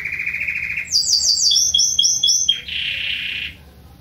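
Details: A young Belgian canary sings loudly a rapid, varied phrase: a steady high trill, then bright chirps and a sliding whistled run, ending in a buzzy roll.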